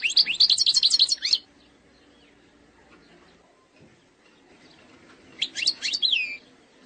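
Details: Algerian goldfinch singing in the eastern ('sharqi') style, a performance described as free of mistakes; two bursts of rapid, bright twittering and trilled notes, one at the start and one near the end, separated by several seconds of quiet.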